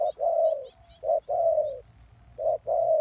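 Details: Spotted dove lure call for attracting wild doves: loud two-part coos, a short note then a long slightly falling one, with faint chirps of small birds above.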